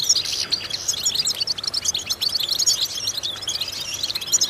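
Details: European goldfinch song for vocal training, bright and high, a rush of rapid metallic chirps and twittered phrases with a few louder notes standing out.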